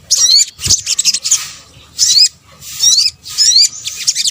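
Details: Sunbird (sogok ontong) lure calls: short clusters of very high, sharp rising notes, delivered in four separate bursts with gaps between them.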